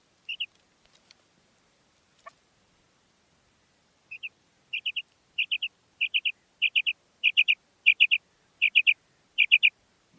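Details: Calling female common quail gives clear, high, clipped notes in tight triplets, repeated roughly every half second with steady rhythm over several seconds. There is little else audible besides a couple of faint clicks.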